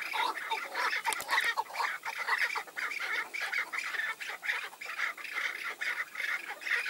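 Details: Chukar partridge calling during a tethered-decoy hunt as five wild males come in: dense, harsh, rapidly repeated chuk notes overlapping continuously for seven seconds, with several birds calling at once.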